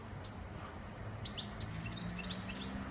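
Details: European goldfinch breaking into a brief burst of quick, high twittering notes halfway through, after a quiet start, with a low humming drone underneath throughout.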